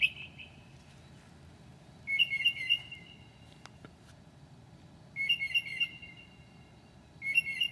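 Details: A mockingbird singing in the middle of the night at 2 a.m., 7/9/2008, borrowing other birds' calls: a clear whistle, then three bursts of bright, slightly warbled whistled phrases about two to three seconds apart.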